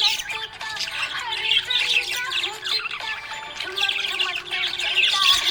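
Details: Pet budgerigar chattering happily, with bursts of rapid scratchy chirps and squawks separated by brief lulls, over faint steady background music tones.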